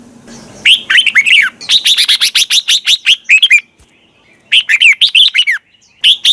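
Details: Red-whiskered bulbul giving morning song to provoke other birds to sing: rapid strings of bright, slurred notes, about a dozen in quick rhythm, a short break, then another fast warbled run.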